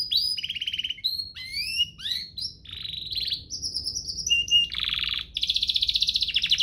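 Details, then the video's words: Canary song, a rich varied "cengkok" used as master song for young canaries and to prompt others to sing: rising whistled sweeps, dry rattling trills and steady buzzy rolls, shifting pattern every second or so. "Cengkoknya MEWAH, Efektif buat Masteran kenari paud dan pancingan kenari biar gacor"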